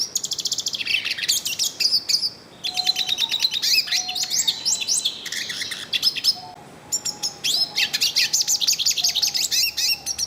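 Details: Yellow-faced siskin singing a great deal in the wild, long bouts of high rapid twittering and buzzy trills separated by brief pauses, a low faint whistling tone recurring behind.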